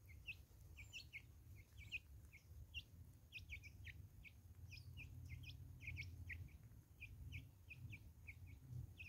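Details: A flock of Natal spurfowl in woods in South Africa gives a dense scatter of short, sharp, high chattering notes, several per second, over a steady low rumble of background noise.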